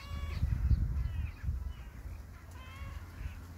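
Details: Crows cawing outdoors, a few harsh nasal caws spread through the clip over a low rumbling background of wind or traffic.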